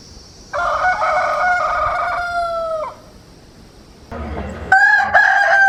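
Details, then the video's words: Rooster crow held steadily for over two seconds and ending in a falling break, followed after a pause by a second loud crow starting. "Diferentes Galos cantando - Galo cantando - Som do galo"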